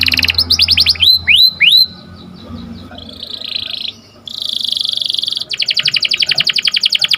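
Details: Canary heard in the morning with a rapid roll, three hooked whistled slurs, a quiet pause, a bright buzzing trill, and finally a long steady rattle of quickly repeated notes.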